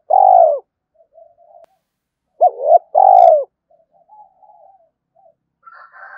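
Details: Spotted dove calling in the morning to challenge a wild rival: a long purring rolled coo, a pause, a quick double coo and another long rolled coo, with faint soft cooing afterward.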